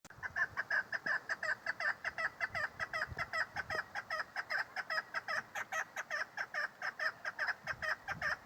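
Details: A female chukar partridge calls in a long, rapid series of clucking chuk notes, about two or three per second, steady and even throughout, with a quiet background.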